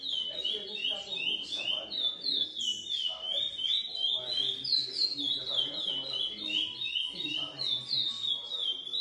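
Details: Lesser seed finch of GP x Coimbra breeding, hatched in captivity, singing a long, rhythmic sequence of bright whistled notes that dip and rise several times a second, with faint background voices.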